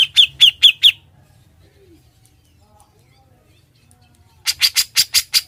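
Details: Grey-cheeked bulbul song intended for tutoring other birds: four ringing chips at the start, a long near-silent stretch, then six harsh broadband notes in quick succession.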